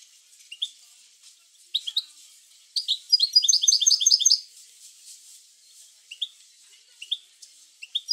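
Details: European goldfinch giving bitbita song to prompt other goldfinches to sing: scattered sharp chirps around one rapid, ringing trill of repeated high notes, followed by further single chirps.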